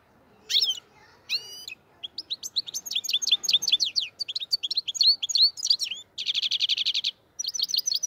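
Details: Black-headed goldfinch linked to Andijan, Kuva and Fergana, singing a fast, continuous twittering song of bright, high chirps, quick slurred notes and dense buzzy trills, with brief pauses between runs.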